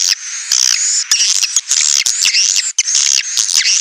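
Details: Edible-nest swiftlet lure call meant to draw the birds in to roost: dense, high buzzy chattering twitters that run almost without pause, broken by brief gaps and a few sharp clicks.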